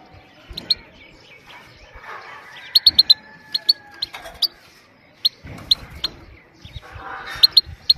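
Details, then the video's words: Female goldfinch 'pit pit' notes for stimulating males and training young birds: crisp high chips, often doubled, repeating every half second or so, with quiet background murmur. "پیت پیت ماده بدون مستی برای تحریک کردن و برای مستی سایره"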